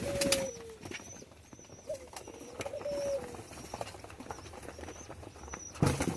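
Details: Hungry pigeon kept with others in a cage during summer heat; smooth tonal notes, level then gently falling, given a few times with gaps, plus faint thin high squeaks and light background noise.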